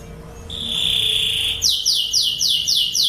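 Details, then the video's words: Master song of a Lancashire canary for tutoring young birds: a sustained, pure high whistled note for about a second, then a quick run of bright, repeated descending trill notes, about four per second. "Burung Kenari Lancashire Gacor | Masteran Kenari Lancashire"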